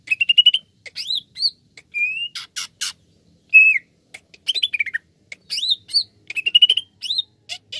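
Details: Greater green leafbird (cucak ijo) singing a lure to set other birds off: rapid rising trills, swooping whistles, long drawn-out slurred notes and harsh buzzy bursts, tumbling in a varied, nonstop sequence.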